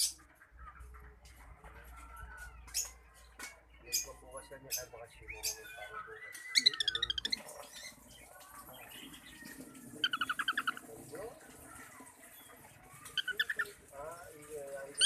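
A cockatiel sings a rambling mix of whistles, chirps and chattering, speech-like notes.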